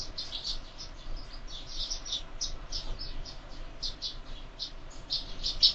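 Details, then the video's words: Several sparrows feeding at a window feeder at breakfast time, a steady run of quick high chirps and twitters overlapping throughout, with faint room noise beneath. "Воробьи в кормушке - завтрак"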